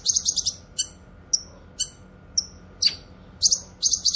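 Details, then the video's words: Cucak kinoy, the grey-cheeked bulbul, for song training and luring: quick stuttered buzzy trills at the start, then spaced sharp high whistled chips that drop off, more rapid rattles closing the sequence. "Masteran suara burung CUCAK KINOY gacor cocok untuk masteran dan pikat"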